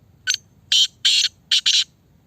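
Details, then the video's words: Harsh rasping phrase of a Sindhi kala teetar, the black francolin known as a speeder: a clipped opening note, then two longer grating notes and a closing quick pair, with a faint low hum beneath. "Speeder || kala teetar || Speeder black Francolin"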